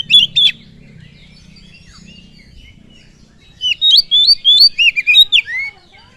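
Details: Oriental magpie-robin song used to provoke other birds: two sharp whistled notes, a quiet gap with low hum and faint twitters, then a rapid varied burst of slurred, whistled notes in the last two seconds.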